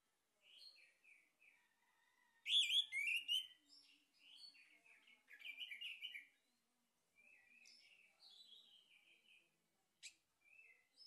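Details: Male orange-headed thrush singing in a lure meant to provoke song: a long, varied sequence of whistles, twitters and squeaks, with one loud chattering burst and many softer, scattered phrases.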